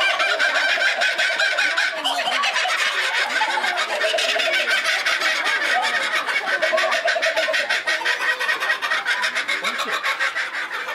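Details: A laughing kookaburra at Higashiyama Zoo gives a loud, rollicking "ahahaha, hohoho" cackle of rapid, harsh, chuckling notes that carries on without a break for the whole stretch.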